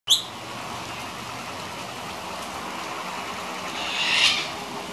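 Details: A cockatoo, one of about eight landing in gum trees after the first decent rain in a long dry spell on 1 October 2017, gives a short sharp squawk, then a harsher rasping screech, over steady rain hiss.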